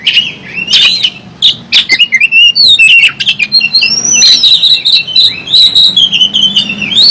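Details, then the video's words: Oriental magpie-robin singing hard during a fighting display with its tail spread, mixing harsh chatter with long rising and falling whistles that merge into a flowing warbled phrase. "kacer Gacor ngobra, kacer buka ekor, kacer gacor tarung"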